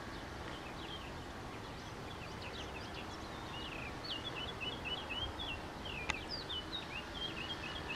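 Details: A Eurasian blackcap (Sylvia atricapilla), filmed in Sintra, Portugal, sings a fast, scratchy warble of high chattering notes throughout, over a steady rumble of background noise, with one sharp click near the end.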